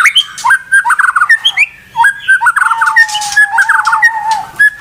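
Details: White-rumped shama in full song after a lapse, delivering fast trilled bursts and clear whistles in short separate phrases, including one long steady low whistle near the end.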